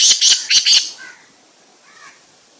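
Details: Black francolin of an unusual slate-coloured kind: four quick rasping, high-pitched bursts within one second, harsh and grating, then fading to quiet with faint distant notes afterward.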